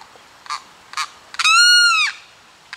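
Limpkin: two short, harsh rasping notes, then a loud, drawn-out wailing scream that arches up and falls away over half a second, with another starting at the end.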